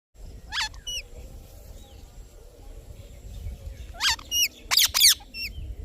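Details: Indian ringneck parrot giving a few sharp, bending chirps with bright overtones, one near the start and a quick burst of three or four more toward the end, over a low steady background hum.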